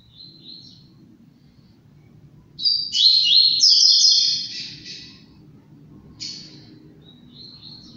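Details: Double-collared seedeater kept by a breeder, singing a short, fast, high twittering phrase of buzzy slurred notes lasting about two seconds. Brief thin chirps come before and after it over a steady low hum.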